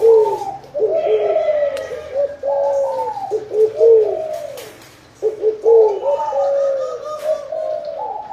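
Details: Spotted doves cooing, a call linked to a bountiful harvest; low, soft coo phrases roll on with overlapping notes, break off briefly near the end, then resume, with occasional faint clicks and knocks behind.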